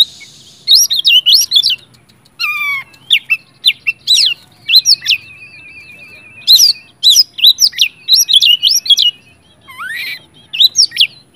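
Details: Oriental magpie-robin in full, vigorous song, a lure recording meant to provoke silent magpie-robins into singing: rapid bursts of sweet whistled and sharp chattering notes, some long descending slurs and a buzzy trill, delivered in dense phrases with short pauses.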